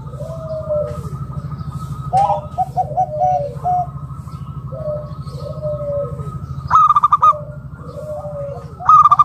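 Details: Zebra dove, a local wild bird, calling to coax other doves into song: soft descending coos and quick stuttered coo notes. Loud, harsh, buzzy bursts break in twice over a constant low droning hum.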